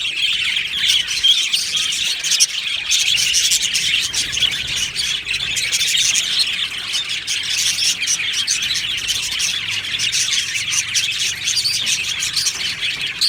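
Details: Australian budgies in an aviary colony, a constant overlapping chatter of high chirps and scratchy squawks lasting throughout, busy and unbroken, many birds calling at once.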